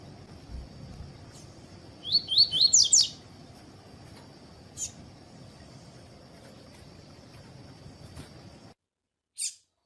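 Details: Tui-tui song of a double-collared seedeater, meant to get other birds singing: five quick, high, upward-sweeping whistles within a second, then scattered clicks, a steady high hum and a final click after a sudden drop to silence.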